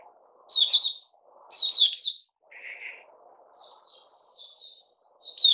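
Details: Kept Puteh Raja bulbul, recorded 8 May 2021. Two bright, loud bursts of chirping notes are followed by a lower buzzy note and a soft rising warble, then another sharp burst at the end.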